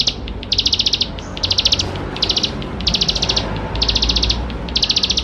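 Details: Bar-winged prinia singing hard with a rich song, meant to get young birds singing fast; about seven bursts of high, rapidly repeated chipping notes, roughly one per second, over a faint hum.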